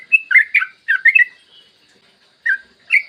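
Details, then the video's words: Yellow-vented bulbul, morning lure song for prompting other bulbuls: a few short bubbly whistled notes in a quick cluster, a pause, then two more scattered notes. "Masteran trucukan gacor ropel panjang cocok buat pancingan trucukan agar cepat bunyi dan ropel"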